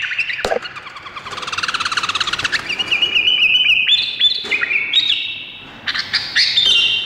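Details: A bulbul from Indonesia sings a burst of quick, bubbly chirps, then clear, stepped whistled notes at a bright mid-high pitch, over a faint background hiss.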